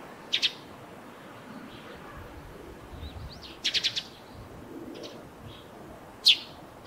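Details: Eurasian tree sparrow near its nest on a roof, giving short high chirps: a single note, a quick burst of four, then another lone chirp, spaced over several seconds against faint background hiss.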